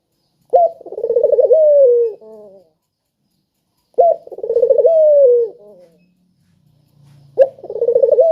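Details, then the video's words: Spotted dove cooing, used as a lure to prompt quiet doves to call: loud, rich trilled coo phrases that open with a sharp note, waver and then fall, repeated about every three seconds against near silence. "Burung Puter Gacor Suara Merdu,Tajam Cocok Buat Pancingan Yang Pemalas Bunyi"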